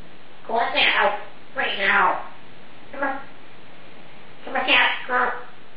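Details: Female Congo African grey parrot showing off her 350-plus-word vocabulary indoors; four speech-like phrases with clear voiced syllables, separated by short pauses, against low constant background hiss.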